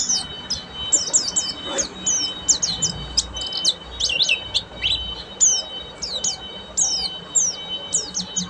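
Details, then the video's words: Buxtomi Oriental white-eye keeping up full ngeriwik song: fast high sliding chirps in continuous bursts, some steep downward sweeps, over a faint steady tone and low noise. "SUARA BURUNG‼️PLECI BUXTOMI FULL NGERIWIK"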